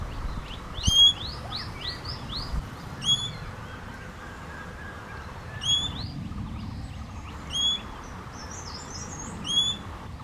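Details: ['Series of ringing, overtone-rich whistled calls from a common green magpie, spaced roughly two seconds apart. A quick run of rising chirps from another bird opens the clip, and quiet background hiss continues throughout.']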